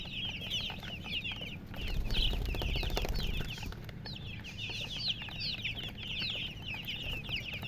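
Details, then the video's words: Chicken chicks cheeping in a busy, irregular stream of high slurred peeps, with a louder low rustling around the second and third seconds. "silly chicken chirping sounds"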